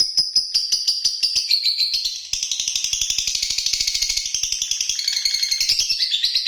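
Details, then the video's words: Lovebird song of rapid high twittering, starting with spaced bright chirps, then a long unbroken buzzy chatter over a steady ticking pulse. "NGERRI ABIS!!!! GAYA MENTIL BIKIN GERAM LAWAN"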